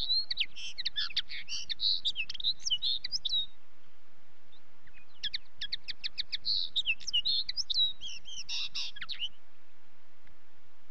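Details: Common linnet singing two bursts of quick, varied twittering, mixing fast trills, chirps and short buzzy notes, each bout lasting three to four seconds with a brief pause between; steady low rumble underneath.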